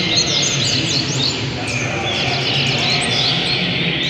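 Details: A double-collared seedeater (coleiro) in Rio de Janeiro state sings a rapid run of bright, high chirps and trills. A steady hiss and background chatter partly cover the song.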